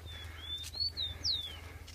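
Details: Rufous-collared sparrows kept by bird keepers, taken outdoors for training at a national keepers' meeting on 10/10/2015: clear slurred whistles, one long level note, then rising and falling notes and a sharp downslurred whistle, over a steady low rumble.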